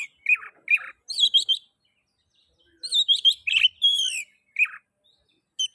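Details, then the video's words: Oriental magpie-robin song for stimulating other magpie-robins to sing: varied whistles, rasping notes and quick chirps in two phrases split by a pause of over a second. "Pancingan kacer ngeplay...cocok untuk merangsang bunyi kacer"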